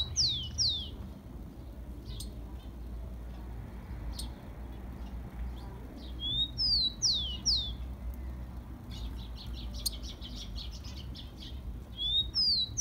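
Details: Rufous-collared sparrow from Brazil, its song used as a warm-up to stimulate captive birds: clear, high, slurred descending whistles in short phrases repeated several times, one phrase breaking into a quick chattering series, over a low steady background rumble.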